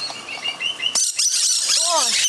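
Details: Noisy musk lorikeets feeding in a tree on Christmas morning, one hanging upside down; thin chirps give way to a sudden burst of dense, shrill screeching from the flock, with brief human speech at the close.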